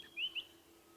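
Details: A male White-browed Scrub Robin (Cercotrichas leucophrys), perched in the open and singing at sunrise in Sabi Sand, South Africa, on 5 September 2016. He gives two quick, high whistled notes, each sliding upward, over a faint low hum.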